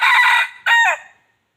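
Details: Crowing of a wild chicken, recorded to draw other wild chickens in: a long strained note followed by a shorter falling final syllable, then silence.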